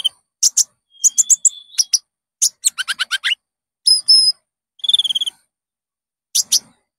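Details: Konin (Common Iora) lure song for caged birds: quick varied chips and rattling notes, then a sliding whistle and a fast buzzy trill, ending with a final pair of sharp chips; no other sounds.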